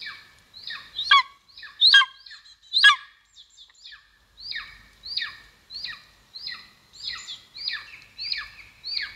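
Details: Golden eagle at the nest, Estonia, 2022, on a live nest camera: three loud, shrill, sharply descending squeals early on, then a steady string of softer down-slurred yelps spaced under a second apart.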